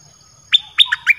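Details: Red-whiskered bulbul, a caged bird whose song is played to attract wild birds, gives a short fragment of three or four bright whistled notes that slide downward, delivered within about half a second.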